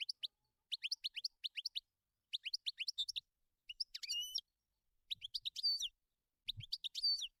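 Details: Wild goldfinch in nature: short rhythmic groups of sharp tinkling chirps, then phrases with drawn-out nasal, wavering buzzy notes, repeated in bursts with brief gaps. Faint low thumps now and then.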